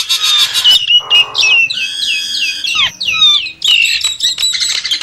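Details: Loud Nias hill myna song. A rich rising and falling whistle is followed by a nasal buzzy note, then a run of ringing downslurred whistles and a bright chattering burst at the end.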